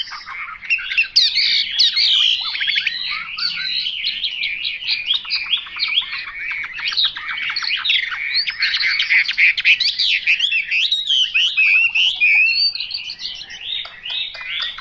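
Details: Long, unbroken Chinese hwamei song: a dense, rich flow of rapid looping whistles and twitters, varied and energetic from start to finish.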